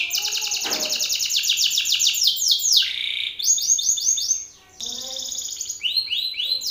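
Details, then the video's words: Belgian canary male singing forcefully in a rival male's face: fast rolling trills of descending notes, a buzzy low burst early, a slurred slide, a short pause, then renewed rapid rolls. "Canário belga BRAVO CANTANDO FORTE na cara de outro macho !"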